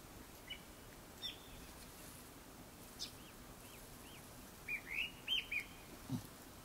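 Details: Japanese thrush singing before sunset: a few short, high whistled notes, scattered at first, then a quick cluster of four near the end, over a steady hiss.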